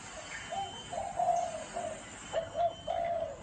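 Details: Spotted dove, gáy gù cooing style: soft low hooting phrases with a short lead note and a drawn-out coo, repeated twice within a few seconds, background steady hiss.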